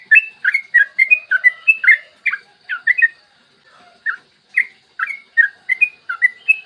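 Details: Long rapid song of a yellow-vented bulbul in the morning, used to stimulate other bulbuls to sing: fast clusters of bright slurred notes, a short pause, then spaced, repeated liquid phrases.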